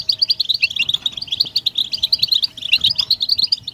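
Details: European goldfinch chatter meant to stimulate a silent male into singing: continuous rapid twittering of high liquid notes, busy and overlapping, over a low background hum.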